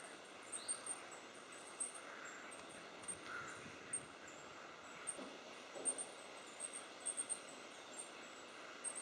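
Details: A Goldcrest in Tehidy Woods, Cornwall, gives very high, thin, needle-like notes, scattered singly and in quick clusters, over a steady background hiss.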